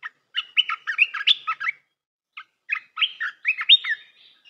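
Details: Red-whiskered bulbul singing a tutoring song for young birds: two lively phrases of fast, bubbly whistled notes separated by a brief pause, ending in a drawn-out whistle.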